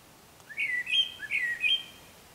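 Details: Eurasian blackbird singing in the morning before light: a clear phrase of rolling, flute-like whistles rising and falling in quick succession, loud against a quiet background.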